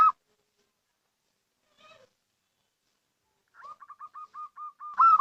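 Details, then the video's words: Local zebra dove call, used as a lure for trapping or attracting birds: a loud cooing note opens, then a quiet pause, then a rapid run of about ten short, even staccato notes at steady pitch, ending in another loud coo. "Suara Panggilan PERKUTUT LOKAL , Paling Cocok Untuk Pancingan"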